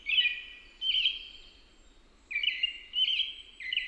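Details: Whistled song of an American robin: two slurred phrases, a brief silence, then three more in quick sequence, over faint hiss.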